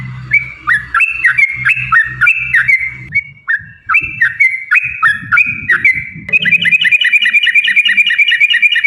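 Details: Songbird recording used for training other songbirds: repeated clear falling two-part whistles, about three per second, then a faster run of bright chirped notes, over a low background rumble.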